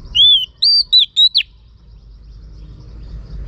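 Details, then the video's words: Female Oriental magpie-robin calling to stimulate males: a short phrase of four or five loud, clear whistles, arched and falling, packed into about a second and a half, then low background hum. "Choè than mái kích trống hay nhất"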